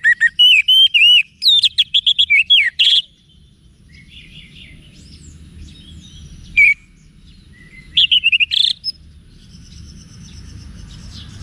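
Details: Orange-headed thrush, a cage bird in Singaraja, Bali, singing for training; rich rapid phrases of looping whistles and sharp chirps, then quieter faint notes and a second burst of varied chirps.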